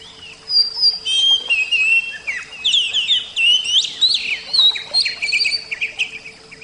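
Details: Oriental magpie-robin, Javan kacer type, delivering a rich, varied song of long whistles, sharp upward-flicked notes and rapid chattering runs, loud and nearly unbroken for several seconds.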